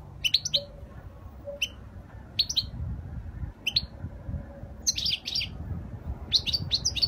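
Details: European goldfinch singing a flawless Spanish-style song, 2020: frequent bursts of high twittering and liquid chirps, some phrases doubled or tripled, with a faint steady low tone and background rumble.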